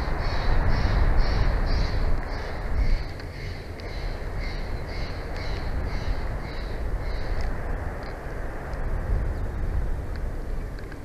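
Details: Bald eagle pair at a Big Bear Valley nest, recorded by a nature cam at night on 1 June 2024. A steady series of high repeated notes fades out after about eight seconds, over constant low rumbling noise.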